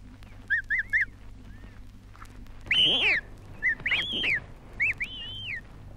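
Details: Emu chicks, recorded in Australia for a 1968 wildlife record, give short, high whistled peeps, some in quick pairs and triplets, others longer and arched, over a faint low hum.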